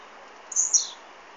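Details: On an Android phone recording, a blue-black grassquit utters one sharp, very high buzzy phrase that splits into two parts and drops at the end; background hiss only.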